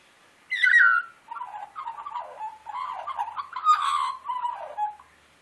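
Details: Wild Australian magpie singing for its breakfast: a loud opening downslurred note, then a rambling run of warbled, gurgling phrases for about four seconds, with soft music in the background and a man talking to the bird.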